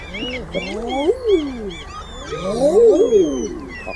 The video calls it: Common Eider